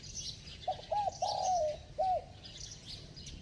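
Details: A single bell-voiced spotted dove phrase: two quick low hoots, then a long sliding coo that drops in pitch, closed by one short hoot. Faint high chirping sits in the background.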